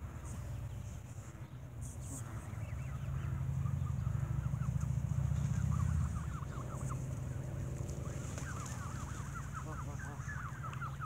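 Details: Geese squabbling while being fed bread at an evening feeding: a dense jumble of overlapping harsh, wavering honks and cackles over a steady low rumble.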